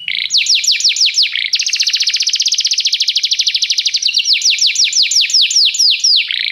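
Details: Singing canary used as a tutor for a young bird: quick falling whistled notes, then a long very rapid even trill lasting over two seconds, closing with repeated downslurs.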